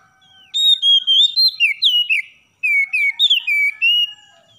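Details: Morning song of an oriental magpie-robin, played to rouse lazy birds into song: two brisk phrases of bright whistled notes, swooping up and down, with a brief pause between.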